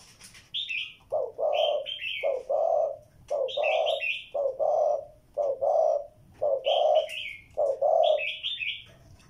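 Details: Spotted dove cooing steadily, soft low hollow notes in pairs repeated about once a second, with a smaller bird's high chattering chirps interleaved throughout.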